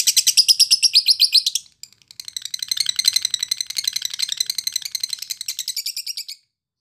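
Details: Timi lovebird trilling for training fighter-class contest birds: a fast high chatter, a brief pause, then a longer, looser run of rattling, buzzy notes.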